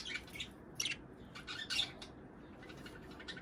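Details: Budgerigar sounds played to encourage pairs to breed and lay eggs: short, faint bursts of high chirps and scratchy twitters at irregular intervals over a steady background hiss.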